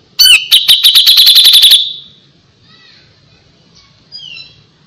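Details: A Grey-cheeked Bulbul sings lively: a harsh opening note leading into a quick series of about ten bright, high repeated notes, fading into soft faint whistles.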